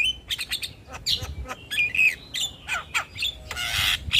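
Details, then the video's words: Energetic Javan myna song for training other mynas, with clear whistled slurs, chattering squawks and a loud harsh buzzy rasp near the end, notes packed closely with brief pauses. "Masteran Jalak Gacor Untuk Semua Jenis Burung Jalak Auto Ngoceh Manggut2"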